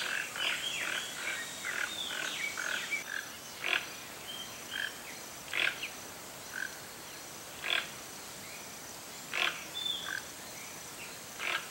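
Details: Toco toucan, largest toucan species of Brazil, calling in the wild: short, harsh, croaking notes repeated roughly every two seconds, with thin whistles from other birds and steady background hiss.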